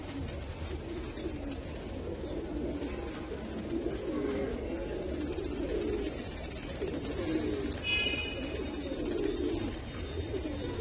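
Fantail pigeons give low, soft, rolling coos that run on almost without a break.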